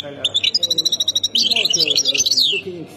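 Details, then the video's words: European goldfinch singing the Khemis Miliana style, Ain Defla province, Algeria: a rapid string of ringing high notes flowing into a dense buzzy twittering flourish, with faint low voices in the background. "مقنين سكتور خميس مليانة ولاية عين الدفلى"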